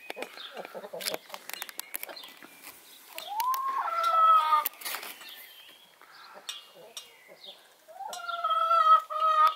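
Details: Broody Brahma hen off her nest on her daily break to feed, drink and preen gives two long, nasal calls that rise and then hold steady, about five seconds apart, with soft clucks, clicks and rustling between.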